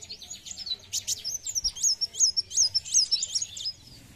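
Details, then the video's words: A sunbird on a lure recording gives a rapid series of thin, very high chips and short sweeping whistles, nearly three notes a second, over faint background hiss. "BUNYI KOLIBRI WULUNG"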